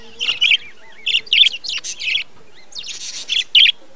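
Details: Budgerigars in a breeding colony, 2020: several birds giving irregular bursts of scratchy chirps and warbled chatter, mixed with short rising and falling whistles, with brief quiet gaps between clusters.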